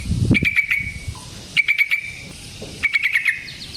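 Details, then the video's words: Yellow-vented bulbul singing for a lure recording intended to draw other bulbuls into song. Three brief, bright, stuttering phrases are spaced roughly every one and a half seconds, with some low thumps in the background. "Suara Burung Trucukan GACOR ROPEL Panjang Ampuh Untuk PANCINGAN TRUCUK"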